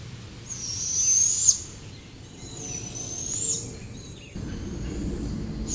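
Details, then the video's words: Juvenile barred owl owlets, wild, resting in trees after fledging, giving a loud screeching hiss, the call used to locate them: a long high drawn-out hiss near one second, then a fainter second hiss, over steady background noise. "we learned last year, the loud screeching hiss is a unique call from the juvenile barred owl."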